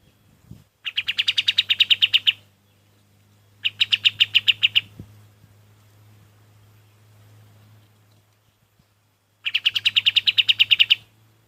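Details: Golden-bellied gerygone, called kapas tembak, heard as training song for other birds. It gives three bursts of rapid, high, buzzy-edged repeated notes, roughly fifteen per burst, separated by pauses of a few seconds, with a low steady hum beneath.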